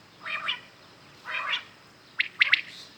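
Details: Morning common quail calling: two soft, raspy, wavering notes, then a quick ringing three-note phrase, clean and close against a quiet background.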